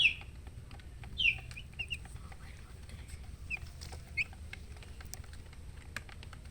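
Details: Young domestic chicks giving sparse, high, downward-swept peeps, one clear peep at the start and a few scattered ones after, separated by quiet stretches with light clicks.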